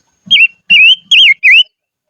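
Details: Silver-eared mesia kept as a decoy bird, singing in the highlands: four clear whistled notes, each sliding and wavering, given in quick succession with brief gaps, with soft low thumps beneath the first two.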